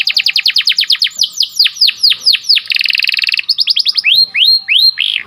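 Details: Canary singing a sharp rolling training song for breeding birds: rapid repeated notes, downward whistled sweeps, a dense buzzing trill, then rising looped whistles.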